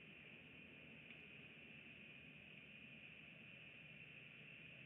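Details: Steady broadband hiss with a constant high tone and low rumble throughout, no animal voice.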